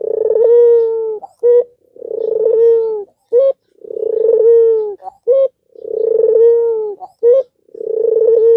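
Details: An albino Barbary dove gives low, rolling coos about a second long, each followed by a short clipped note, repeating every two seconds or so, a song meant to stir other doves to call.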